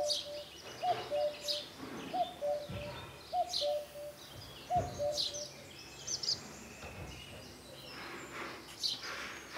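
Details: Common cuckoo song recorded at Shuamta near Telavi, Georgia: a soft, low two-note 'cu-coo' falling in pitch, repeated roughly every one and a half seconds, while other small birds chirp and twitter higher up.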